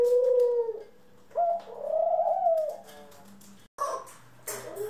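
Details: Pet doves of ringneck, Senegal and hybrid kinds, April 25, 2021: a steady coo, then a longer coo that rises slightly and falls away, followed by scattered rustling and short bright noises.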